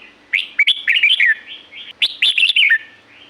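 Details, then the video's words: Two lively red-whiskered bulbul song phrases from natural La-u forest, each a quick run of bubbly, chirpy, downslurred whistles, separated by a brief softer note; a steady faint hum runs underneath. "เสียงนกกรงหัวจุก จากป่าละอูแท้ๆ เสียงดี เสียงเพราะ จากธรรมชาติ"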